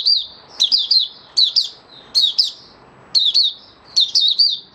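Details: Oriental white-eye (Mata Puteh Raja) kept in a cage, singing openly on the fifth day after a monthly deworming dated 20 January 2022. Short clusters of two or three bright, shrill, downslurred chirps come about every second.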